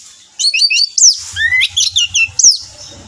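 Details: Orange-headed thrush, kept as a songbird, in a lure recording meant to prompt other birds to sing: bright, high whistled phrases with quick up-and-down slurs and sharp downward notes, over a low pulsing hum.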